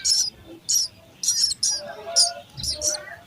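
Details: Sparrow chicks being fed by a parent in the nest, giving loud, shrill, high chirps in short bursts, about seven in three seconds, with softer lower chatter between them.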